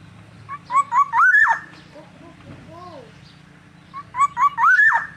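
A Black-naped oriole gives two loud, liquid fluted phrases of rising whistles a few seconds apart, over a low steady hum and a faint softer bird note between.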